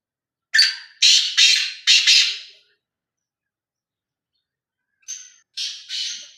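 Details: Black francolin calling: a harsh, grating phrase of four rasping notes, the first with a thin tonal edge, then a pause of over two seconds and a shorter second phrase of three notes, all quiet between.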